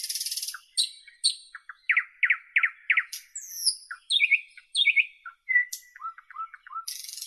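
A nightingale sings a varied phrase of rich, rapid notes: repeated downward slurs, high thin whistles and a quick low chatter, with bursts of hissing noise at start and end.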